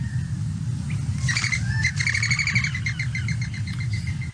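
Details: Mourning dove (Zenaida macroura) wing whistle on take-off from a sitting position: a rapid twittering series of thin whistled notes, one per wingbeat, over low traffic rumble; not a vocalization, may alert other doves to a threat.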